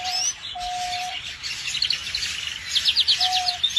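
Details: Canary singing in a rolling flow of bright chirps that breaks into a rapid trill of repeated high notes, with a faint steady tone in the background.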